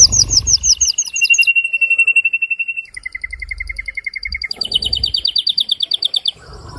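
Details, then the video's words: Excited male canary song for mating stimulation. High rapid trills give way to a long steady rolling tour, then a lower fast trill and a bright burst of high repeated notes. "تغريد هائج قوي لذكر كناري من أجل تحفيز أنثى وذكر الكناري على التزاوج"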